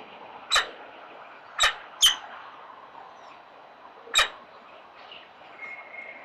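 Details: Four snow-white Peregrine Falcon chicks, living in an urban setting, squeak while being fed. Brief, high chips come in an irregular run of four, followed by softer faint sounds and low background hiss.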